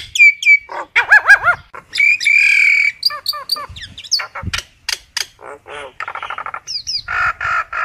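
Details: Common myna calling the flock, mixing gurgling arched notes, a harsh buzzy rasp, whistled downslurs and chattering bursts in a varied, irregular sequence.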